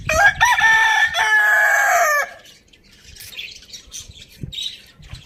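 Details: A farm rooster in a village crows loudly for about two seconds. The crow is a rich, harmonic, drawn-out call that opens in short bursts and then holds level. Small birds chirp softly behind it afterwards.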